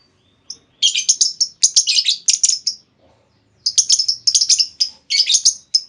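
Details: Female lovebird giving a lure call meant to make other lovebirds answer with long trilling: two runs of rapid, shrill, scratchy chirps in quick bursts, separated by a short pause, with a near-silent background.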